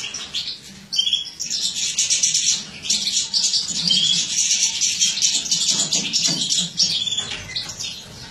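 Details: Captive-bred mutated European goldfinch female feeding in a breeder's aviary, 2017: continuous high, thin twittering with rapid chirps and short buzzy notes, dense and unbroken, a dip in loudness near the start.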